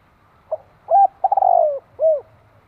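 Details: Spotted dove giving one cooing phrase: a short soft note, a hollow coo, a quick stuttering run sliding into a drawn-out falling coo, then a final rounded coo, all low and mellow against a quiet background.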